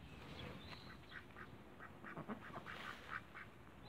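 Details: Cayuga ducks in a backyard flock, giving rapid, overlapping nasal quacks in short bursts, several birds calling at once over steady background noise.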